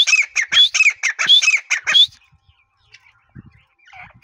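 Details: Grey partridge (teetar) in the breeding season giving two seconds of loud, grating, rapidly repeated notes with rising whistles, then near silence with a few faint scratchy sounds.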